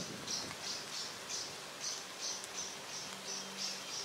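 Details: A Eurasian coot with chicks at a lake with reeds gives thin, very high peeps repeated about three times a second over a faint low hum.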